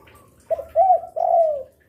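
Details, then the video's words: Gacor spotted dove, kept as a lure for other doves and singing diligently by day, afternoon and night: a short soft note, then two rounded, mellow coos, the last drawn out and gently falling. "Derkuku gacor rajin bunyi siang sore malam cocok untuk pancingan"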